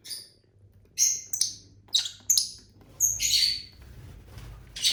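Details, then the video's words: Pet lovebirds from a household flock of six colour varieties, eating and singing: sharp, high, squeaky chirps come in quick bursts about every half second to second, some doubled, over a faint low room hum. "Bird sounds for lonely lovebirds (Eating, Singing & Chirping Sounds)"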